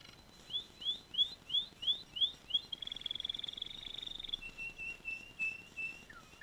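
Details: Canary singing: a run of seven bright upslurred notes, about three per second, runs into a fast rolling trill, then softer, lower repeated notes and a final descending slur.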